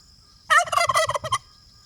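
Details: A free-range domestic turkey foraging on an off-grid homestead gives a single rapid, rattling gobble lasting under a second, a quick bubbling burst of notes over a quiet background.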